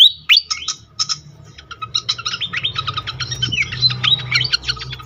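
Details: Pied fantail sound used as a lure to excite other fantails: an opening squeaky whistled flourish, then a long run of fast, sharp chattering chips over a faint low hum.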